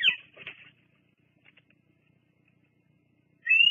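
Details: Bald eagle, a female stopping at the Fraser Point nest one July 2022 evening to preen and rest; two raspy high squeals open, then near silence, then a loud thin whistled note rises at the end; faint camera hum.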